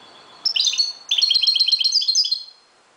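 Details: Moroccan European goldfinch singing at dawn: two bursts of bright, tinkling twittered notes, rapid stacked chirps between 3 and 6 k, the second phrase longer and fluttering.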